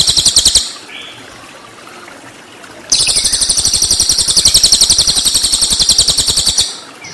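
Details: Cililin song in rapid 'tembakan' style, used as a training master for white-rumped shamas: a loud, harsh, rapidly pulsed chatter, a short burst, then a near-silent pause, then a sustained run of about four seconds over faint hiss.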